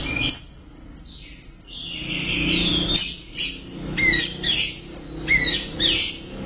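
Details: Loud, energetic Orange-headed thrush song of varied high whistles, descending slurs and quick chirps delivered in dense bursts, with a short lower hum faintly underneath.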